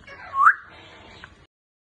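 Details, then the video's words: A grey parrot gives one short, clear whistle that swoops upward and fades quickly, over a quiet indoor background. "African gray Parrot Sound"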